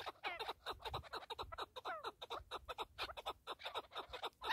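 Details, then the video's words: Keklik, a partridge, calling in fast grating chuckles, many short broadband notes with slurred harmonic sweeps, repeated roughly twice a second over light background noise. "KEKLİK / PARTRİDGE"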